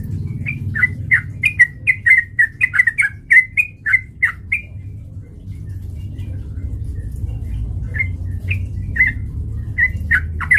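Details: Sooty-headed bulbul song played as a lure to provoke fighting: a fast burst of about fifteen sharp, lilting chirps, a quiet gap with low hum, then scattered chirps resuming near the end.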